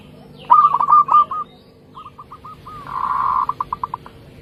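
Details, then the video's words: Zebra dove of a local strain, singing in a trapping setting: a loud run of short cooing notes, a pause, softer spaced notes, then a drawn-out steady tone that breaks into a fading series of clipped notes, faint background hum throughout. "Perkutut Lokal Gacor"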